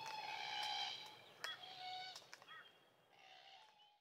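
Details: A small flock of Glossy black cockatoos feeding on sheoak in the Macleay River valley, NSW, Australia, give soft, drawn-out, wheezy calls with a rasping edge, several in a few seconds, with a few sharp clicks and a steady background hiss.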